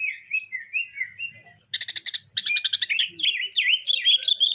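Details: Sparrow-imitating song of a greater green leafbird: soft warbled notes, then two bursts of fast harsh staccato chirps, ending in loud looping whistled phrases; faint low hum present.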